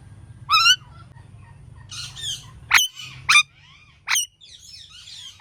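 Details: Indian ringneck parakeet calling repeatedly: a ringing screech, rough squawks, then three loud sharp shrieks about a second apart, with softer chattering between them.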